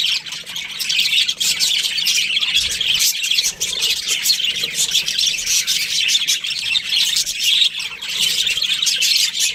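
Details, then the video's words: Australian budgerigars, a breeding pair, chatter without pause: dense, scratchy high chirps and squawks pour out in an unbroken stream for the whole stretch. "Budgies Parrot chirping sounds"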